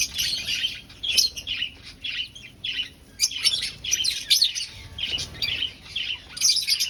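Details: Aviary finches in a breeding colony finding a nest: loud, busy chorus of high, squeaky chirps in bursts that rise and fall roughly every half second, many birds calling together.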